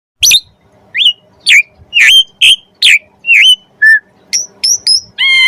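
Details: Kept Oriental magpie-robin singing jalak suren (Asian pied starling) material as masteran training. Loud separate whistled notes, some sliding down, others short and rising, about two per second, ending in a long steady ringing tone.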